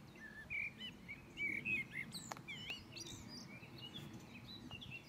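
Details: Common blackbird song at Rakovnik, Ljubljana, on 4 June 2023: short mellow warbled phrases mixed with thin, high twittering notes, a few each second, over a low background rumble.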